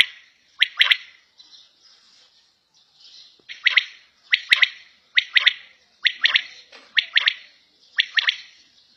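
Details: Quail (batair) kept at home calling; after a few soft, faint notes, loud three-note phrases of sharp bright notes begin and repeat roughly every second in a steady series.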